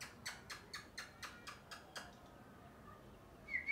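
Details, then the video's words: Parrot chirping in a natural setting: a rapid series of eight sharp clicking chirps about four per second, then a short pause and a louder squawky whistle at the end. "Loud Parrot Chirping | Natural Parrot Sounds | Parrot Calling Sounds"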